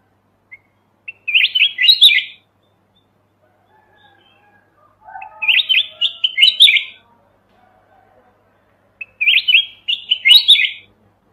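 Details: Mountain red-whiskered bulbul song, recorded clean for use as a trapping lure: three short, bright warbled phrases of quick up-and-down notes, one roughly every four seconds, with silence between and no other sounds.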